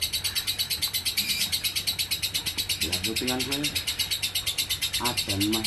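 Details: Lovebird ngekek, konslet style: continuous fast shrill chatter of evenly pulsed high notes, with brief lower wavering sounds, like a voice or meow, breaking in near the middle and end.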